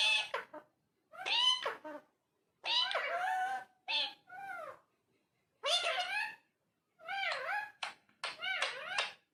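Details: A parrot talks in a small room, repeating wavering, meow-like and speech-like phrases in bursts of about a second, with short gaps between them.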